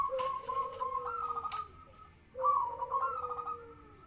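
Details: Zebra dove (Geopelia striata) song: two soft, low cooing phrases, each a quick stuttering run of notes under two seconds, over a steady high whine.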